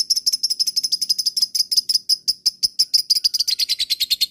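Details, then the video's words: Lovebird lure sound meant to make other lovebirds answer: a fast, even chattering trill of sharp high notes, about eight per second, running unbroken and rising slightly near the end. "masteran pancingan suara LOVEBIRD ini. LOVEBIRD mu akan segera nyaut dan ngekek panjang"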